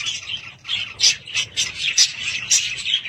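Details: Pet budgerigars indoors, chirping in quick overlapping bursts roughly every half second, mixing squeaky whistles with raspy chatter over a steady twittering background.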